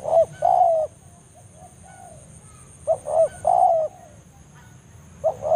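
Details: Spotted dove banggo call used as a lure to bring a rival in forest: low hoarse phrases of short double coos ending in a sustained falling coo, quieter far coos in the gaps, steady faint hum.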